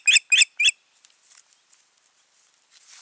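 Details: Osprey pair at the nest, 14.6.2019: three loud, shrill yelping whistles in quick succession, followed by faint rustling and a soft hiss of background noise.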